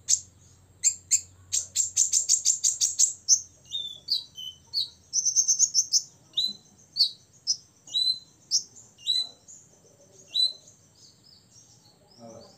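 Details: Olive-backed sunbird, six years old, whose song is meant to agitate rivals. A long rapid string of piercing high chips comes first, then a second dense trill and a run of short downslurred whistles, evenly spaced.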